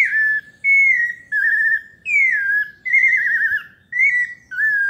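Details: Pale-breasted thrush, São Paulo type, singing a melodious run of whistled phrases: level notes, a sharply dropping slur, and warbled trills, roughly one phrase per second.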